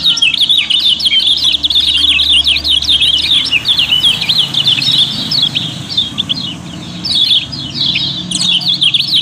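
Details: Yellow-bellied prinia, kept as a songbird on Lombok and raised for song contests, singing a busy, non-stop twittering song of rapid high chirps and sharp upslurred notes, played as a lure to set other birds singing.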